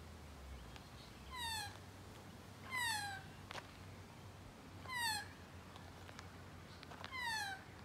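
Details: Magpie heard up close, repeating a slurred, descending, harmonic mewing call roughly every two seconds, four calls in all, with a low hum in the background.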